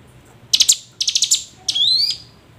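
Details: Hill prinia lure calls meant to coax lazy birds into singing: two short stuttering bursts of buzzy notes, then a rising, whistled slur with a trilled edge.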